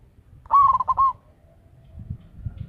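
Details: Local zebra dove, a loud, lively caller used as a lure bird. It gives one rolling coo of about half a second: a brief rising start, then quick pulsed notes ending in a held note. A faint low rumble sits underneath.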